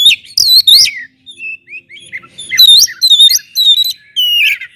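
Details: Oriental magpie-robin giving loud provoking song, clear whistled notes with quick upward and downward slurs in short repeated bursts, some quieter notes between.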